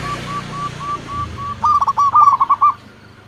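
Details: Zebra dove, local type, singing a lure song: a faint row of short, evenly spaced coos leads into a loud rapid stutter of chopped, bubbly notes that stops abruptly.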